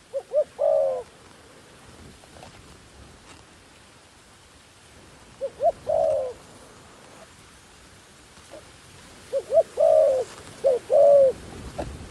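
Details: A decoy dove used to lure wild doves gives widely spaced coo phrases, a couple of short notes then a longer coo, separated by several seconds of hissing background noise.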